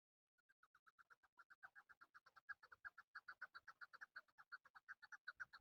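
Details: A male chukar partridge recorded for hunting use gives a clean series of clucking chuck notes that start slowly, speed up and grow louder into a rhythmic rapid chatter lasting about five seconds, with little background noise.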